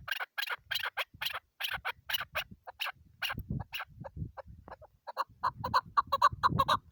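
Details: Female chukar partridge calling with evenly spaced, clipped notes that quicken into a denser rapid chatter, with a few low thumping noises in the middle.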